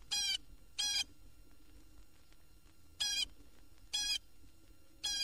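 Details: Blue Jay in Florida, recorded on a 1969 record, giving a few of its varied calls: five harsh, nasal jay notes, each short and raspy, spaced unevenly about one to two seconds apart over a faint background hiss.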